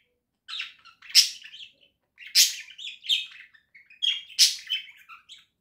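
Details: Pet budgerigars warbling indoors in October 2024: bursts of chattering, scratchy chirps and buzzy notes, grouped in phrases about once a second with short pauses between.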